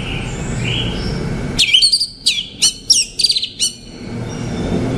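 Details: An orange-headed thrush delivers a brief phrase of high, rapidly repeated whistles and chirps lasting about two seconds, framed by quiet background hiss.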